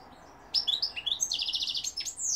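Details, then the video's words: European goldfinch singing in 2021, with London and Algeria mentioned: a sudden lively phrase of sweet upward-slurred chirps running into a rapid rattling buzz, then more high twitters. "goldfinch p throat sign 2021 مقنين الحسون"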